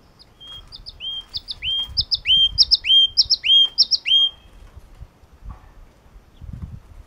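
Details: Yellow-cheeked tit singing a loud series of about eight paired notes. Each pair is a short high pip followed by a clear whistle that drops and then levels off. The pairs come in quick succession, with soft low rumbling beneath them.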